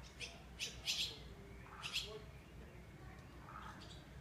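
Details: Swallow chicks giving short, high, scratchy chirps in a few bursts, clustered near one second and again near two seconds, with fainter lower sounds in between and a quiet background hum.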